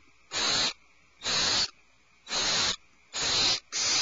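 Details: Five coarse, hissing screeches from alarmed owlets in the nest cavity, the last two closer together, each burst lasting around half a second.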